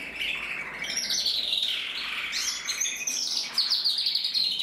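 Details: Singing red mosaic canary cock, 2024: an unbroken stream of bright, rapid trills and chattering twitters, shifting pitch through the phrase and ending in sharper, louder notes.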